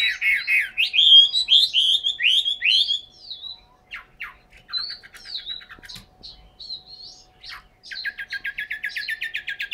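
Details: A captive Chinese hwamei in Hanoi sings a loud, varied run of rich slurred whistles, then a fast string of repeated sharp notes, about two or three per second.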